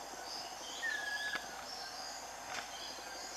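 A Scaly-breasted Wren gives a single pure, high whistle that falls slightly in pitch. A steady insect chorus hums in the background.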